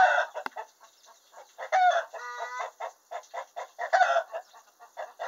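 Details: Hen in a henhouse announcing a freshly laid egg: rapid nasal clucks broken by loud drawn-out harmonic squawks, the cackle rising and falling in bursts.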